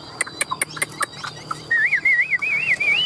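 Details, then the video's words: Hand-held tame Chinese hwamei in competition-style singing: a few dry clicks and taps, then a long undulating whistled trill that wavers up and down and gradually rises in pitch. "Họa Mi hót đấu"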